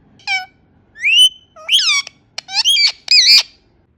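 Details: Indian ringneck parrot making natural sounds: five harsh, harmonic squawks over four seconds, some sweeping upward, others bent and buzzy, with short silent gaps between and a quiet background.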